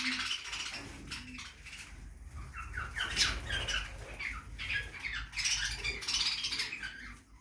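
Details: Budgie parrot chattering while feeding in a backyard aviary, a steady stream of overlapping scratchy chirps and squeaky notes with brief louder squawks, with rustling and low rumble below.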